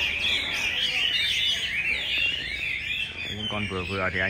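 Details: Chinese hwamei at a winter weekend practice in Hanoi ahead of a singing contest: busy rolling whistles and trills dominate, with a man's voice breaking in near the end.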